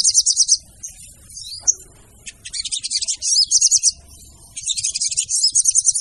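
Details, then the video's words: A female sogon's lure call: bright, very high chattering phrases about a second long, broken by short quiet gaps, with a quick jumble of twitters in each burst. "PANCINGAN SOGON TER AMPUH DENGAN SUARA SOGON BETINA"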